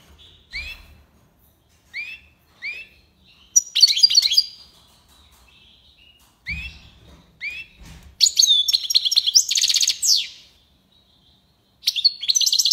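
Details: European goldfinch singing tiwawati style from Algiers, Algeria: scattered short upslurred whistles and chips, then dense buzzy, rattling trills, with occasional low thumps.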